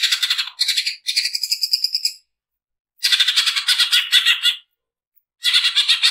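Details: Harsh fast song of a greater green leafbird used for training: dense buzzy chattering runs with some tonal bands, broken by brief silent pauses.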